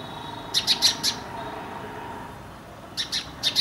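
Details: Indian house sparrow, Passer domesticus indicus, a resident of Indian towns and villages: two bursts of sharp, high chirps, four quick notes then three, with a quiet pause between.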